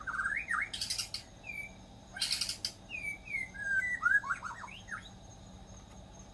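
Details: Wild white-rumped shama in full, active song: clear whistled slurs swoop up and down, broken by two loud, harsh, rasping bursts. Later come short descending whistles and a quick cluster of rising notes over a steady background hum.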